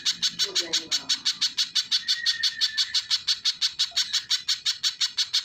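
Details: Sharp, piercing chips from a little spiderhunter repeated quickly and evenly, about three each second. A thin whistle runs through the middle of the series.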